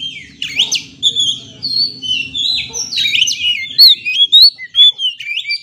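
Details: Oriental magpie-robin singing in a lure recording for stressed kept birds: steady varied warbling of whistled and buzzy phrases, with louder sharp notes toward the end and a low hum beneath.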